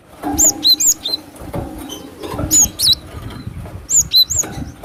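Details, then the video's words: Wild-recorded cinereous tit used as a lure: three quick phrases of high thin whistles, each a high note dropping to lower slurred notes, with steady crackling noise and low rumble underneath. "Suara Pikat burung glatik batu suara asli alamliar"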